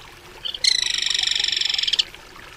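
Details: Crested kingfisher uttering a short lead-in note, then a rasping, rapidly pulsed rattle lasting just over a second before stopping abruptly, in otherwise quiet surroundings.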